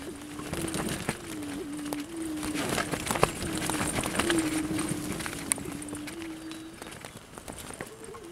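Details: Wild prairie chickens near Salina, Kansas: a steady low hooting drone holds for several seconds with slight pitch steps, over dense clicking, rustling and scattered sharp taps.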